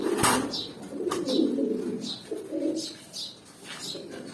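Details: Newly adult pigeons eight to nine months old coo in low rolling phrases about once a second. A sharp click opens the passage, with scattered high thin chirps and rustles indoors.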